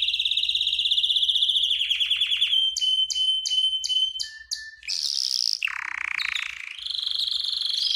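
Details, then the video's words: Singing canary, played for training and to stimulate hens for mating: a high rapid roll slowing into distinct repeated chirps over a held whistle, a short lower note, then rasping bursts and a buzzy, sustained high trill. "تغريد كناري للتسميع و تهييج الانات للتزاوج حصريا - canary singing training"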